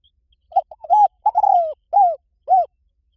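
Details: Spotted dove coo sequence used as playback to attract wild doves: soft, low hooting notes, a few short stuttered coos, then a longer drawn coo and two separate falling coos about half a second apart; clean, no other sounds.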